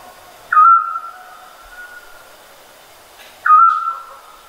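A scops owl gives two short, pure, mid-pitched whistled notes about three seconds apart, each a single clear 'tyu' against a quiet night background.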